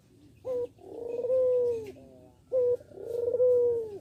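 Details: Young Barbary dove just learning to coo: two soft, low cooing phrases, each a short hollow note followed by a long, smooth, drawn-out coo, in a quiet small room.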